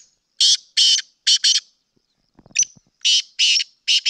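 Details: Black francolin from Sindh: loud harsh call phrases, each made of a brief sharp note, two rasping buzzes and a doubled buzz. Some light tapping sounds fall between them.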